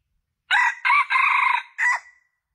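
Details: Junglefowl crow used as a lure to attract males: a loud four-part crow, a short opening note, a second burst, a long sustained buzzy middle and a clipped final note trailing off, on a silent background.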